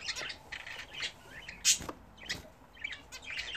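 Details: Home-bred budgerigars at their first bath in a new bath attachment give a steady soft twittering warble, punctuated by one loud, sharp click-like chirp near the middle, then more scratchy chatter.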